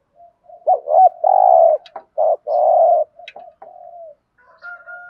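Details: Spotted dove giving a "thúc gù" style coo: a short rising note and a hiccup-like double note, then long, full, low hooting coos in quick succession, followed by softer trailing notes and a faint steady whistled tone.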